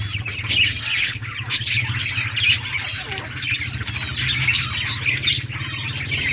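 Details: Colourful budgerigars at play in a colony, August 2023: continuous shrill chirping and scratchy squawks from many birds over a constant low droning hum.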